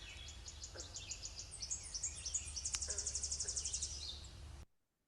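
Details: Tennessee warbler song in three parts: high, dry chips speeding into a fast, loud ringing trill that ends abruptly; low background hum throughout.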